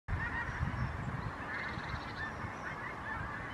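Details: Skein of pink-footed geese in flight: many overlapping honking and yelping calls form a continuous chorus, with low rumbling noise.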